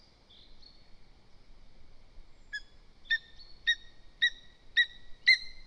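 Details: Lesser spotted eagle (Clanga pomarina) at a nest in Zemgale, Latvia; the worried mother calls the male as a bird comes too near the nest: a fainter drawn-out whistle, then five or six sharp, high yelps about half a second apart.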